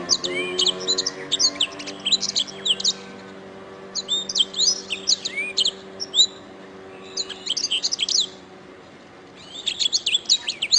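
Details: Canary song recorded as a training master for songbirds: bursts of fast, varied high chirps and trills in four phrases, separated by short pauses, over a steady low humming tone.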